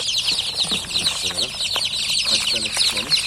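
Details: Just-hatched chickens keep up a loud, fast stream of thin descending peeps from many chicks at once, while a person talks quietly underneath.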